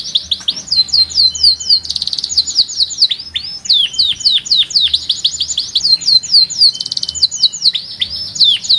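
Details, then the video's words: Sustained canary singing: repeated rows of falling high chirps broken by short buzzy trills, keeping a brisk pulse around four notes a second. "صوت الكناري قوي مع أغنية مريحة ولكن بإيقاع فريد"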